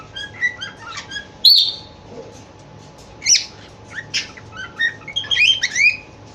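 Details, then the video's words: Cockatiel described as in love, giving a mix of short high chirps, a loud sharp squawk and quick twittering whistles in an irregular run, against a steady faint electrical hum. "Cockatiel in love"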